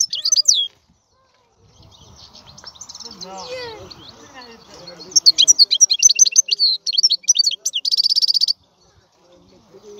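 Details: European goldfinch singing: after a quiet stretch with low background murmur, a fast burst of high, twittering, liquid notes runs for about three seconds, ending in a dense buzzy trill.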